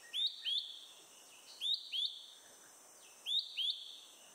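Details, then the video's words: A Malaysian hawk-cuckoo (Hierococcyx fugax) in Selangor, Malaysia, on an April morning, perched high calling after eating a caterpillar, gives song and alarm calls: shrill, high two-note upslurred phrases about every 1.5 seconds over steady insect hiss. "calling loud... Malaysian Hawk-Cuckoo"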